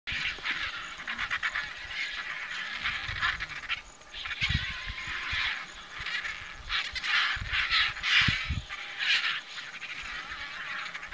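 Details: Mixed mob of white-backed, Rüppell's griffon and lappet-faced vultures squabbling loudly over an old carcass in Kenya's Maasai Mara National Reserve, fighting for scraps; harsh, hissing, broadband rasps in irregular overlapping bursts, with low thumps and scuffles.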